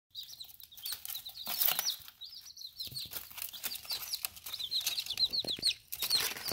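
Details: Baby chicks in their first ten days, eating and drinking: many high, quick peeping notes overlapping, with scratching and tapping noises.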